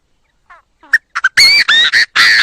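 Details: Chinese francolin crowing, recorded cleanly for use as a trapping lure. Soft stepped notes and a pair of clipped clicks build to four loud, harsh, ringing bursts in quick sequence.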